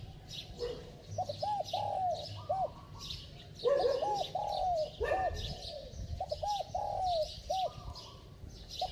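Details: Spotted dove in a bell-voiced cooing style with fast coos. Low, hollow arched hoots come in repeated phrases of three to four notes, each phrase set off by a louder opening note. Faint higher chirps sound behind.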